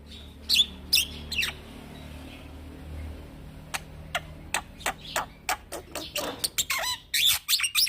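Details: Young black-winged myna used as a training lure: a few whistled notes open, a quiet pause follows, then a long series of sharp clicking chips building into scratchy, busier song.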